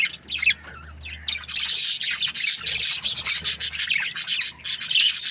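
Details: Budgerigars chirping in an aviary: after a quieter start, a continuous loud mass of harsh, rasping high chatter from many birds, with rapid pulsed notes.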